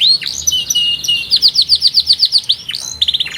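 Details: Powerful canary song: a brief high whistle and slurs lead into a clear trill of about a dozen evenly paced chirps, followed by drooping notes and a fast buzzy roll.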